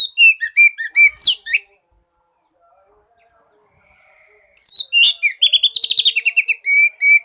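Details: Oriental magpie-robin song used as a lure to get a silent bird singing: a burst of rapid high whistles, chirps and slurred notes, a near-silent pause of about three seconds, then a denser run of sharp repeated whistled phrases.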